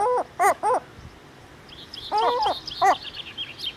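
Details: Herring gull at its breeding colony giving three short, nasal yelps, a pause, then a drawn-out, wavering cry and another yelp, while thinner high-pitched calls from other gulls sound in the background.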